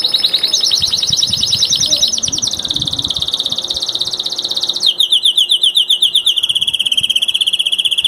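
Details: Canary, one of three master singers, delivering long fast trills that shift pitch in steps, from a higher rolling trill to lower buzzy rapid repetitions, with faint rustling behind.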